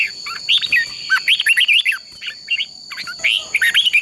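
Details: Red-whiskered bulbul delivering fighting song for training and provoking birds to sing: rich, bubbly whistled phrases in quick runs with short pauses between them, over a faint steady high hum.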